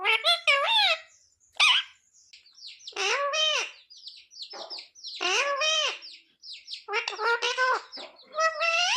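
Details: Parrot chattering nonstop in a rapid run of harsh, rich, voice-like phrases, many swooping up then down in pitch, separated by brief pauses, with no other clear sounds.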